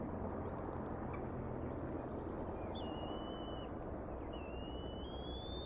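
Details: Bald eagle eaglets at the Decorah nest, 14 May 2019 around 6:10 pm, waiting to be fed while an adult eats a fish, recorded by a live nest camera: thin high whistles, two drawn-out slightly rising notes, over a heavy low rumble and hiss.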